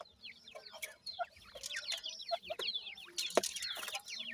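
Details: Five captive black francolin chicks, 26 days old, three female and two male, giving a dense chorus of thin, high, down-slurred peeping calls that overlap continuously, with occasional clicks and knocks.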